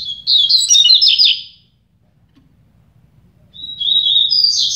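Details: Two Double-collared seedeaters (coleiros) in a song contest trade rapid, high, warbled phrases, each about a second long and separated by a brief pause. A faint low hum runs in the background.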